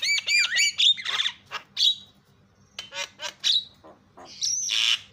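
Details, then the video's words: Javan myna calls used to make other mynas call: quick nasal notes and a dipping whistle, harsh squawks, a quieter gap, then scattered sharp notes and a long harsh screech; faint hum below. "PALING MANTUL SUARANYA MENGGODA JALAK CEPAT TERIAK"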